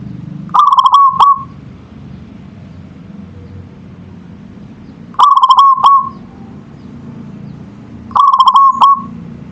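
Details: Manggung song of a local zebra dove, natural recording: three pulsed, bubbling coo phrases spaced several seconds apart, each breaking into a short sustained note, with a soft low hum between them.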